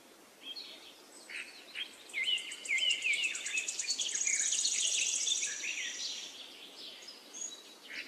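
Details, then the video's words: Forest nightingale song: rich rapid phrases of whistles and dense high rattling trills, swelling in the middle and then fading to scattered notes. "Magic singing of a nightingale"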